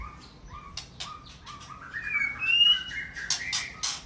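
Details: Murai Aceh white-rumped shama delivering a 'sembur isian' song: short whistles and sharp clicks at first, then sliding notes climbing to a piercing high whistle, followed by rapid chattering bursts.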